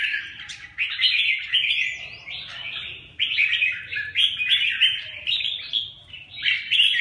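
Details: Red-whiskered bulbuls fighting: surging bursts of excited chattering and warbled notes separated by short quieter gaps.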